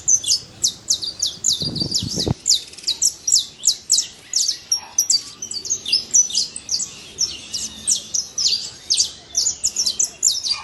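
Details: Saffron finch free in nature delivering a long, even series of sharp high chirps, roughly three or four per second, with a brief low knock near two seconds.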